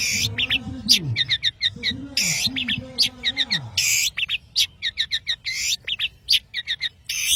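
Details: An active Madura long-tailed shrike gives loud, rasping bursts mixed with quick clusters of sharp squeaky notes; low wavering voice-like sounds run beneath the opening seconds.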